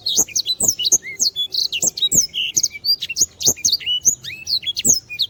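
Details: Vigorous canary song for tutoring other birds, a continuous rush of piercing chirps, down-slurred whistles and brief trills, with light tapping clicks underneath.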